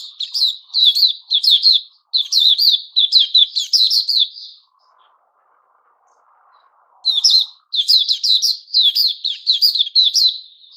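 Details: Puteh Raja, the white-crowned shama, in moult with new feathers coming in, 6 September 2021; quick runs of sharp whistled notes for about four seconds, a quiet gap of two seconds with faint low murmuring, then lively singing resumes.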